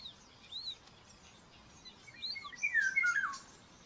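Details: Nest camera at Tiszalök, Hungary, May 5, 2024: a common buzzard chick begs during breakfast feeding with a descending, slightly broken whistled squeal near the end, while other small birds give looping chirps in the background.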